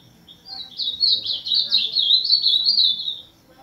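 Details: Azulão, the ultramarine grosbeak, singing one sustained, rich warbling phrase of tumbling slurred whistles lasting close to three seconds, clear over a quiet background.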